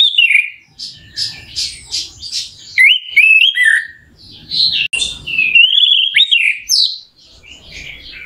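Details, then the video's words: Orange-headed thrush lure song to make a bird sing quickly: scratchy notes alternating with fluid whistled phrases that step up and down, soft low rumble between phrases. "ANIS MERAH GACOR💥PANCINGAN NAIKKAN EMOSI ANIS MERAH CEPAT GACOR"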